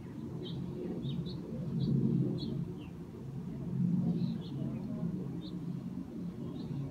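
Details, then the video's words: A hummingbird gives about a dozen tiny, high, sharp chirps or squeaks at an uneven pace, partly masked by a steady low rumble of wind or distant traffic. "Hummingbird "chirps""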